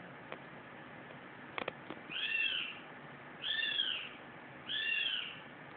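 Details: Captive Abyssinian eagle-owl perched on a water tap, 11 August 2011, gives three high, arched, screechy wails, each rising then falling, about one every 1.25 seconds, with a few sharp clicks before them.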